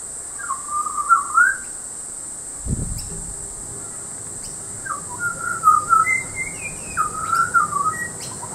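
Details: A butcherbird at Peachester, Queensland sings clear, fluting whistled phrases that rise and fall in short bursts over several seconds, with a soft thump and a steady high hiss behind.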